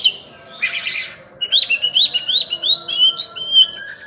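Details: Oriental magpie-robin (kacer) in active song. A harsh, buzzy burst opens, followed by a string of about eight bright, rising whistled notes in quick succession.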